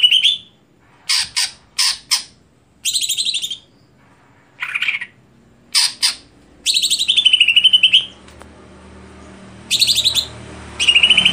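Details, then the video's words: Greater green leafbird singing a mix of sharp clicking notes, harsh bursts and extended buzzy trills that dip and rise, with a soft low hum in the background. "Apakah Stelan Cucak Hijau Bisa Di Patenkan"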